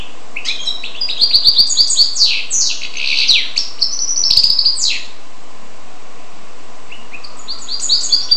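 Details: Hybrid of goldfinch and canary in lively song: rapid sequences of sweet, warbling notes and sharp slurred whistles for about five seconds, a pause, then singing resumes.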